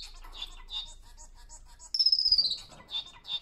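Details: A male society (Bengalese) finch sings soft, high chirps about four times a second. It then gives a louder buzzy note that slides downward, followed by more chirps.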